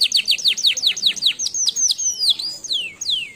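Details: Canary song of quick, sharply falling notes repeated about five per second, slowing into longer drawn-out downslurred whistles toward the end.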